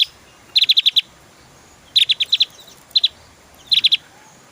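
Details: Javan white-eye delivering fast rattling bursts of four to five sharp, high notes, then shorter groups, each burst separated by about a second of quiet.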